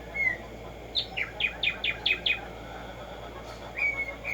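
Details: Tumba Yegua or Black-striped sparrow (Arremonops conirostris) singing: an opening whistle, then seven crisp descending notes spaced evenly about a fifth of a second apart, a pause, and a rising level whistle to close.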